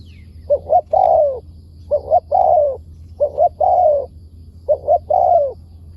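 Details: Spotted dove in the wild answering a decoy bird, praised as having a fine voice with wild phrasing; four soft cooing phrases, two brief notes followed by a drawn-out descending coo, low background drone.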